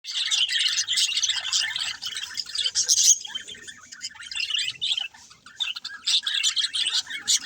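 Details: Pet budgerigars giving dense high chirping and warbling chatter, busy and continuous with short pauses, several birds seemingly calling at once.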